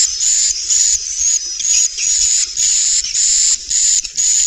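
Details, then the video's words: Inap Ababil roosting call of swiftlets, meant to lure the birds in: bright, buzzing, hiss-like chirrs with a high whistled line, repeated rapidly at about two per second with short pauses. "Suara Inap walet"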